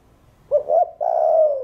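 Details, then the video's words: Earth-toned spotted dove song meant to stimulate other birds: a short double hoot leading into a long, even, low coo, deep and resonant. "Cu Gáy Giọng Hạp Bổi THỔ ĐỒNG Đủ Bài [ GÁY GỌI + THÚC + GÙ ] Kích Bổi Gáy .Chim cu gáy"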